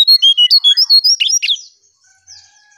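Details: Striped tit-babbler singing in a lure recording: a fast, loud series of about eight short, clear whistled notes, then a few lower slurred notes before it falls quiet, with faint high calls after.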